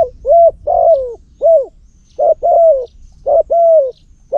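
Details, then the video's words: Cambodian spotted dove used as a decoy for trapping, with a strong voice, repeating hollow coo phrases: a brief note followed by a drawn-out, downward-sliding coo, several times in quick succession with little background noise. "លលកធ្នាក់សំលេងធំទ្រូលបរ (ស៊ីដាំ) -Terbaik Pikat Terkukur Cambodia"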